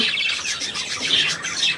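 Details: Budgerigars on 3 April 2017 keep up a continuous, busy warble of high chirps and squeaky trills, with a brighter whistled note near the middle and no pause throughout.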